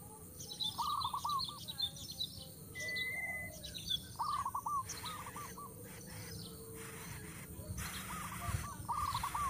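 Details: Noisy coucal nestlings being fed by a parent at the nest; repeated clusters of wavering, buzzy notes in quick runs, a brief clear whistle, and high chirping in the background.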